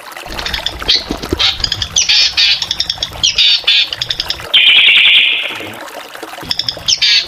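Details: Energetic drongo singing: dense bursts of rapid chattering, buzzy notes, a long rasping hiss in the middle, then more stuttering phrases, with a steady low hum in the background.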